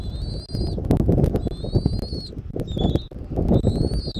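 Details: Bald eagle, Southwest Florida eagle camera, 13 January 2024, early afternoon: a run of four high, piping whistles, the longer ones gently rising, with loud low-pitched wind buffeting and clicks between them.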